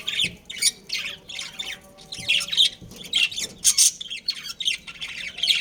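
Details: Pet budgies, a breeding pair, chirp in short separate bursts: squeaky, buzzy notes spaced irregularly about every half second, some sharper squawks, over a quiet room background.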